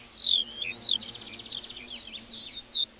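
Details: Lark song from a meadow, a quick jumble of high trills and warbled notes, ending in a short downward whistle.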